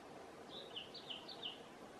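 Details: Mexican chickadee, one of a pair clearing debris from a nest cavity before nest building, gives four short, high, down-slurred notes in about one second, quiet over a steady background hiss.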